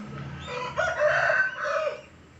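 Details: Hen crowing like a rooster: a drawn-out, wavering, hoarse crow rising in strength then tailing off over about a second and a half, with a soft background hum.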